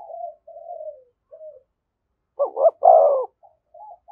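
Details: Spotted dove near a decoy bird, giving "thúc gù" cooing. Soft, low murmured coos lead into one loud phrase: a quick double note, then a drawn-out falling coo, followed by faint soft coos.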